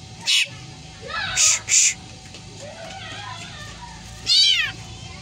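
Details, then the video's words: Black drongo imitating a cat's meow: sharp harsh bursts near the start, a pair of hissy screeches, then one arched, meow-like wail with stacked harmonics late on, over faint background hum. "Burung Sri Gunting Yang Doyan Ngomong Meong Dan Teriakan Anehnya"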